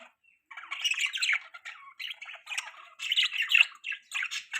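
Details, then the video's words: Pet budgerigars chirping: a busy warbling chatter of squawky, scratchy notes and short tweets in irregular bursts, several voices overlapping with brief quiet gaps. "Beautiful Budgies Parrots Chirping Sounds"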